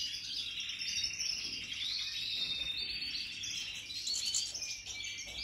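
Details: European goldfinches of the Major group, several birds, 2023: busy high twittering song with sharp whistled chirps and short trills, swelling slightly near the end, over light background hiss.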